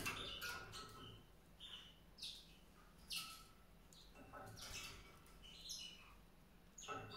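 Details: A quiet White-rumped seedeater song of high, short chirps and little trills, spaced irregularly, over a steady low background hiss.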